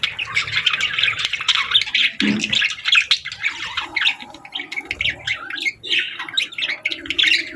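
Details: Budgerigar chicks call for food. Rapid raspy chirps and squeaky notes follow one another in uneven, pulsing bursts, with a short low thud in the middle of the sequence.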